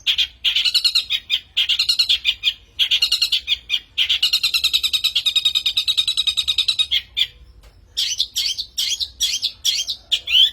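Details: Long-tailed shrike lure song: long runs of rapid harsh scratchy chatter, then a series of separate squeaky whistled notes repeated about once every half second.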